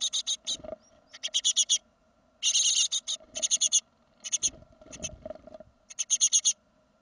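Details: Great tit fledging from the nest, second brood, 2016: a long series of rapid, scratchy, buzzing notes in clustered bursts, some runs dense and continuous, with soft rustling and knocks beneath and a low steady hum.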